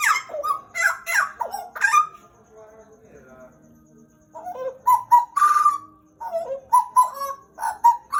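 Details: Pied butcherbird, a caged bird kept about two years, described as a Papua Indonesian endemic, singing loud rich whistled phrases with harsher buzzy notes, a quiet pause midway, then clear repeated whistles resuming strongly.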